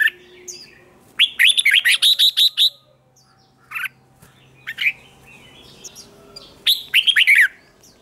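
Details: Contest singing from a wild-caught male red-whiskered bulbul: a long string of rapid, ringing whistled notes, a few isolated chirps, then another quick warbled phrase.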